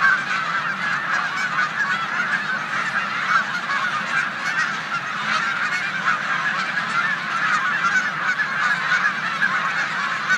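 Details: Snow geese resting in a corn field on Olmstead Road, Savannah, New York, on 14 March 2020, a migration stopover with resident Canada geese nearby; a dense, unbroken chorus of high nasal honks from a large flock.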